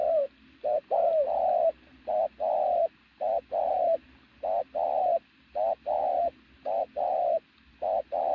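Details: Very loud coo of a strongly built native pigeon kept as a decoy, deep mellow notes in quick short-long couplets running almost without a break.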